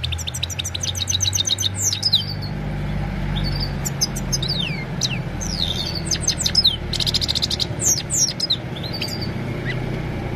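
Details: Himalayan goldfinch singing in the evening, recorded on a mobile phone: rapid high twittering with quick downslurred and rising notes in loose bursts, over a steady low rumbling hum.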